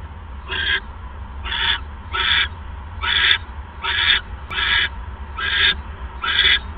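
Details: Owl at the nest during a mouse delivery, 6:33 PM on 1 January 2015: harsh, breathy hissing bursts, each about a third of a second, repeated roughly once a second over low hum.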